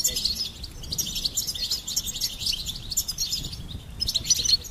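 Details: Goldfinch in steady song, a continuous flow of high, tinkling, twittering notes with a short break near the end, over faint low background hum.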